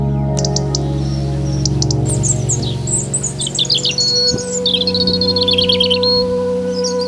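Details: Singing European robin giving a long sequence of high, sweet phrases: short clicks at first, then tumbling warbles and rapid trilled notes, set against sustained low musical tones.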